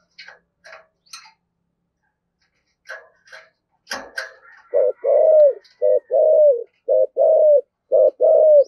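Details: Spotted dove in 'thổ sấm' voice style: after scattered clicks and chirps, a string of deep paired coos begins, each a short note and a longer slightly falling coo, repeated about once a second.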